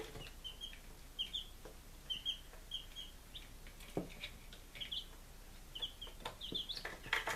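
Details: Young chickens five days old, recorded in Lunenburg, Massachusetts, 23 July 2017: paired and tripled high peeps, some with a rising lilt, mixed with clicks and a louder knock near the end.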